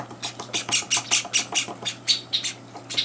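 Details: Pet Java sparrow chicks, on their third day in a household, beg during feeding as two older birds intrude. Loud, high, rasping chirps follow one another about every quarter second over a faint indoor hum.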